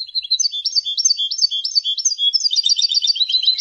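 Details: European goldfinch singing for song education: a continuous high, tinkling twitter of quick alternating notes that switch between two pitches. Near the end it builds into a denser, buzzy jangle.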